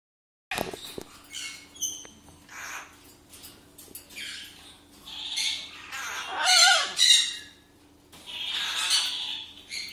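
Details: Captive blue-and-yellow macaws kept as a pair, heard indoors: several harsh, broadband squawks and raspy screeches at irregular intervals, the loudest burst near the middle, with a steady low hum underneath and a person calling softly afterward.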